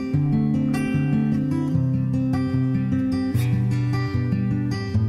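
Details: Strummed and plucked acoustic guitar music with steady low bass notes and shifting chords, with no animal sound heard.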